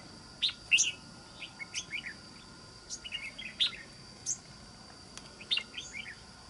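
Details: Red-whiskered bulbul, wild-caught with an island-forest voice type, singing repeated short phrases of sharp, clear whistles and quick chirpy notes every second or two, with a faint hum in the background.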